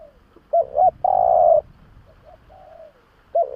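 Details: Spotted dove lure call with two quick hoots leading into a long steady coo, then softer clipped notes and a sliding quiet coo before the next phrase begins.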